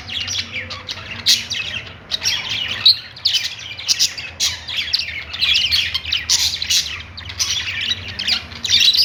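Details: Happy chatter of perched budgies, continuous scratchy warbling with frequent sharp squeaks in uneven bursts, rising toward the end, over a faint low hum.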